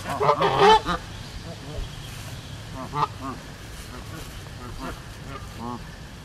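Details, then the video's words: Geese on a farm giving harsh nasal honks, a loud cluster in the first second followed by scattered shorter honks every half second or so over steady background noise. "Som de Ganso"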